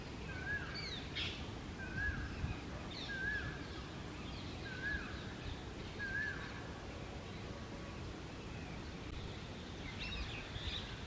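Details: Indian ringneck parrot at a nest in a neem tree hole, feeding the babies hidden inside: short, thin, upslurred chirps repeat about every one to one and a half seconds over steady outdoor background noise, with faint higher notes now and then.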